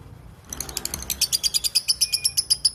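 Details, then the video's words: Lovebird chatter that starts after a quiet half second, building from soft rough notes into a fast run of sharp, high, clicking chips. "LOVEBIRD NGEKEK PANJANG SUARA JERNIH"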